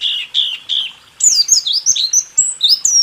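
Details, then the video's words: Short rool tembak phrase from a white-eye on a caged-bird training recording: three lower buzzy notes, a pause, then a lively run of high, looping whistled slurs. "Masteran burung pleci..rool tembak terbaru 2023"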